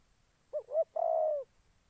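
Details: A decoy spotted dove used to lure wild doves into a trap in Gia Lai, Vietnam. It gives one phrase: two short rising-falling coos, then one long, even, low coo, in a quiet background.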